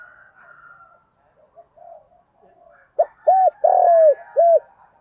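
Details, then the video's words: Lure spotted dove calling and urging: after about three seconds of faint murmuring, one clear cooing phrase of a short note, a long falling coo and a final short coo. "chim cu mồi gáy gọi và thúc"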